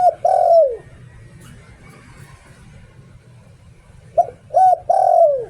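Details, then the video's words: Caged spotted dove kept as a decoy bird, singing in the 'liu tan' style: a short low coo, a clear arched note and a long falling hoot, then silence before the same three-part phrase returns, over a steady low hum. "เสียง "หลิ่วตัน" นกต่อ เสียงชัดภาพชัด"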